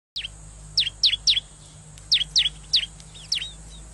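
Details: Bar-winged prinia calls by a riverside, a lure recording for wild birds: sharp, high V-shaped chip notes, each dipping then rising, given in quick groups of three or four, with steady background hiss.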